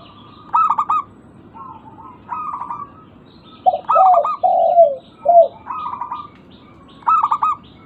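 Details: Zebra dove, local stock, calling as a lure to spur other birds into answering: bursts of pulsed mid-pitched cooing alternate with a lower, slurred series of four coos from a second caller in the middle.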